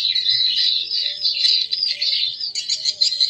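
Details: Swiftlet call mixed into a stereo lure track for attracting the birds to a bird house: steady, crowded high-pitched chittering and twittering without a break, in dense overlapping bursts throughout.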